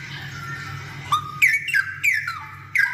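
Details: Straw-headed bulbul song for training other birds: after a quiet start, short bright whistled notes with quick upward flicks come in separate bursts, over a faint low hum.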